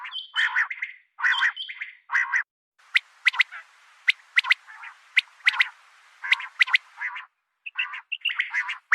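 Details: Calls of a female common quail: repeated rough, buzzy bursts alternating with thin, sharp clicking ticks, with the bursts returning every second or so toward the end.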